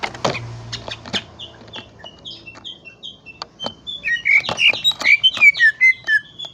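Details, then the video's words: Greater green leafbird giving a string of spaced, high, slightly buzzy notes that speed up into a loud, rich, rapid warble of chirps and trills, with clicking sounds early on. "KICAU BURUNG CUCAK IJO"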